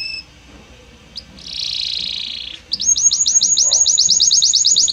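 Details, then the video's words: Belgian canary song: a soft high note, then a broad buzzy phrase, followed by a quick steady string of bright high chirps repeated more than a dozen times. "Magnífico Como canta este Canário Belga!"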